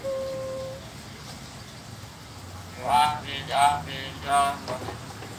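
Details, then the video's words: A pet Nias hill myna imitates R2-D2 from Star Wars: a steady whistled tone, then three loud, warbling electronic bleeps about a second apart, over faint room hum. "More of parrot immitating R2-D2 character from Star Wars Movie Nias Hill Myna"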